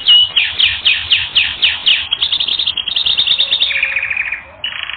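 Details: Canary singing on a training recording: bright trilled phrases of rapid repeated notes, changing pattern every second or so, ending in a steady fast rattle, with no other sounds.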